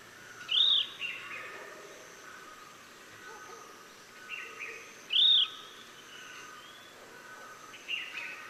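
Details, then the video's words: Chestnut-bellied nuthatch calling in Sattal, Uttarakhand, India: two loud, high, arched whistled notes about four and a half seconds apart, with softer, buzzier notes in between over a quiet background hiss. "Chestnut-bellied Nuthatch Sound"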